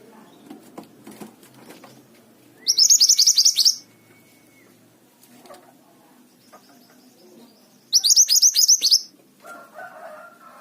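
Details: Mountain tailorbird singing actively: two separate bursts of rapid, high, descending notes about five seconds apart, the first followed by a faint, level, thin whistle.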